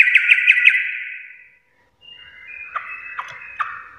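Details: Sooty-headed bulbul, locally trucuk, singing vigorously in the garuda style: a fast run of buzzy notes with sharp accents near the start, a pause, then a steadier buzzing phrase marked by three strong accented notes.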